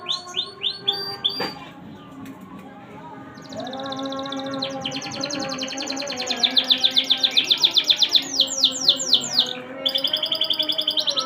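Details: Canary singing in fast, rattling trills and runs of rapidly repeated bright notes, several rolls in succession, with background music playing underneath.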